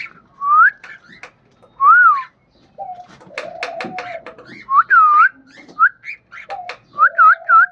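A cockatiel gives clear, looping whistles that rise and fall around mid pitch, mixed with clicks, chatter and a lower hum, in short bursts.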